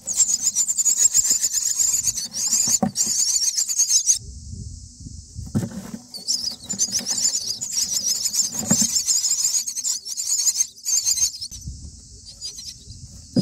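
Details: Common myna chicks on day nine in the nest, fed by both parents, one carrying a grasshopper; long runs of intense, buzzy high-pitched begging, broken by short gaps and low rustling.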